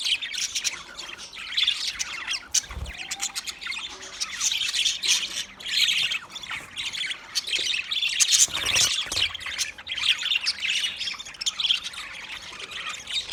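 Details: Budgies keep up a long stream of high warbling chatter and short squeaky notes, with a couple of dull knocks in the background.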